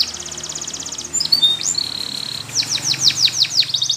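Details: Spanish Timbrado canary, song for training: an even rapid trill, short whistled notes and a sustained flat tone, followed by rhythmic falling sweeps and a final trill over faint hiss.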